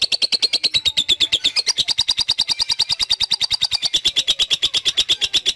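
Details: Lovebird giving a long ngekek, a continuous trill: fast even pulses near a high pitch, about eight per second, running unbroken for over five seconds with a slight dip and rise in pitch.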